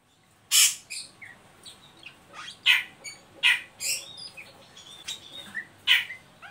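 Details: Oriental magpie-robin giving ngeriwik calls, used as a lure to stimulate untrained birds to sing: loud, sharp high bursts and short whistled slurs scattered irregularly, with loudest notes at about one-second intervals.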